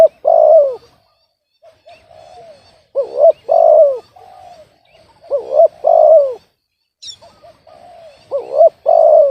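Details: Spotted dove with an off-key voice, repeating a loud phrase four times. Each phrase has a quick stutter, a hooked coo and a long rough descending coo, with softer cooing between phrases and one brief high chirp.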